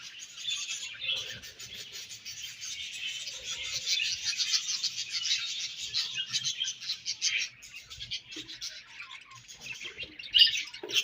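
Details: Budgies eating their favorite food keep up an unbroken twittering chatter of high buzzy warbles and chirps that rises to a louder squawk near the end, with a few soft low thuds beneath.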